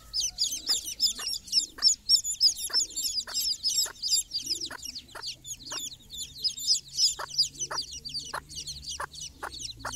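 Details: Dense chorus of high, sharp chick peeps with the hen's short clucks at a steady rhythm, about three a second, as the mother calls her brood on their first morning walk outside.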